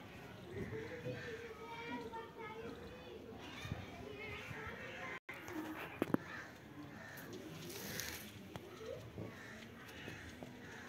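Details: A pet rose-ringed (ringneck) parakeet, being bathed, chatters in short, speech-like phrases like "mitthu mitthu" with a nasal, warbling tone, broken by sharper squawks, amid background voices and faint outdoor noise.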